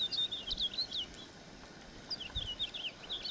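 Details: Two bursts of house finch song, each a quick run of slurred, looping high warbled notes, separated by a quiet pause of about a second, with light background hiss.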